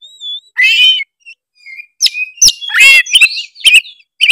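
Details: Oriental magpie-robin of the Tretes type in full varied song, used to provoke rival birds: clear whistles mixed with harsh buzzy bursts and sharp clicks in irregular bursts.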